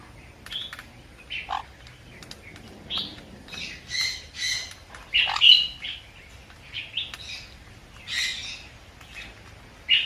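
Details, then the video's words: Sun conure giving a series of short, harsh squawks, one every second or so, some louder and sharper than others, against a quiet background. "เสียงนกแก้วซันคอร์นัว Conure Sounds"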